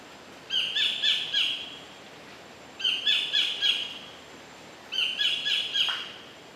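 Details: Collared kingfisher calling in the wild at Bung Boraphet, Thailand, recorded in 2011: three bursts of loud, harsh, repeated notes, each burst of about four quick strident notes, spaced roughly two seconds apart, over a quiet background hiss.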